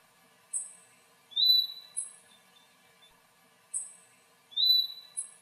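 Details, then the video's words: A Puerto Rican flycatcher chick calls from its tree-hole nest before leaving it, giving a thin, very high three-note phrase twice, about three seconds apart, with a drawn-out whistled middle note, against a quiet background. "Cría de Juí vocaliza"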